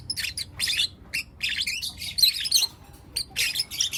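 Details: Four young lutino lovebirds chirping in the morning, loud piercing high chirps and squeaks delivered in quick bursts of several notes, separated by short silences, little other sound.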